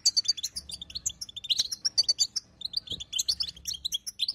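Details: A female European goldfinch calls in the bitbita style to coax a silent male into song. Quick high chirps rattle out in tight groups, some sharp, thin and piercing, with a brief gap midway.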